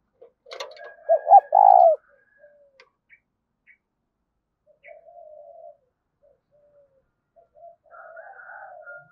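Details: Spotted dove in 'thúc' cooing style: one loud phrase of quick paired coos ending in a drawn-out coo, followed by quieter, fainter bird calls and murmured notes.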